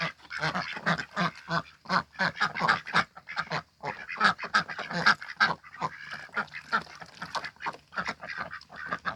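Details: Backyard domestic ducks kept as a flock of six hatched by their keeper, in spring during mating time: harsh, buzzy quacks repeated rapidly in uneven bursts, several birds overlapping, continuing steadily for nine seconds.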